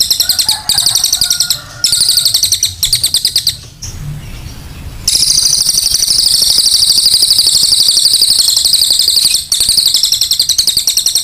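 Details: Cililin song delivered in long bursts of very fast, high, shimmering trills, with abrupt stops and restarts and a short quieter gap partway through.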